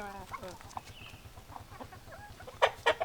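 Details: A drawn-out hen call opens, followed by scattered soft clucks. It ends with two loud, abrupt squawks, all over a regular low throbbing background.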